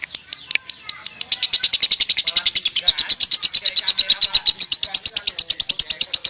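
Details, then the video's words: Long ngekek of a kusumo lovebird: a few scattered chirps, then a building, fast, shrill rattle of high notes that runs continuously to the end. "Lovebird Legend KUSUMO Ngekek Panjang"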